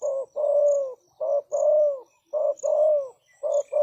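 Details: Spotted dove decoy bird calling to lure wild doves: a short coo note followed by a longer, slightly falling coo, repeated three times about every 1.2 seconds, with steady high insect ticking behind.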